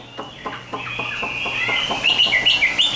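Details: Chinese hwamei, caged and tame, in fighting song: soft dry clicks spaced regularly, giving way to a rising sustained whistle and quick bright chirped notes toward the end.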